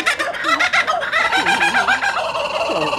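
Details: A laughing kookaburra at Houston Zoo gives a loud, rolling cackle of rapid harsh notes that rise and fall, with faint voices in the background.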